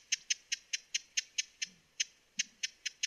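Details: Short burst of sharp, high, clicking chips from a broad-billed hummingbird, evenly spaced with one short pause midway.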